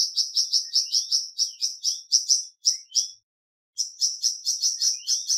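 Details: High, sharp chirps from a flamboyan bird, some with a slight downward slur, repeated quickly before a half-second silence and another rapid chirping run.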